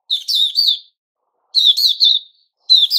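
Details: White-crowned shama (Puteh Raja) in its season of growing new feathers: three short, bright warbled phrases, each under a second, sitting high and tight in pitch with chattery overtones, repeated with brief silent gaps and no other sounds.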